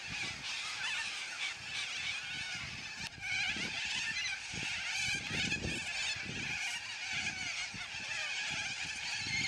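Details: Yellow-crested cockatoos in a noisy flock, a sustained wall of harsh screeching and grating squawks from many birds at once, with a brief dip in the din near the middle.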